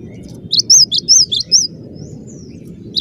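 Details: Cinereous tit singing a short burst of about six sharp, high whistled notes alternating between arched and lower tones, followed by a quiet pause and one final note, over a low drone.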